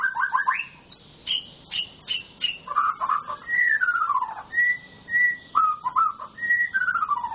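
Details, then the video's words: White-rumped shama in full, lively song meant to prompt silent shamas to sing: varied whistled phrases, clipped high notes, long falling slurs and steady level whistles, delivered almost without pause. "burung murai batu gacor, Full isian"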